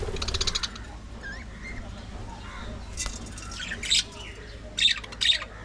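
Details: Budgerigar colony in an aviary, soft warbling chatter broken by a few sharp, loud squawky bursts near the end, with low steady hum behind.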